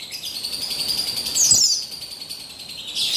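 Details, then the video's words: Female buxtoni Javan white-eye singing as a lure to stimulate males: a continuous high, thin warbling trill with a brief brighter flourish midway and a rising chirp at the end. "Buxtoni Betina Memancing Bunyi Burung Pleci Bahan Agar Bustomi Gacor Ngalas"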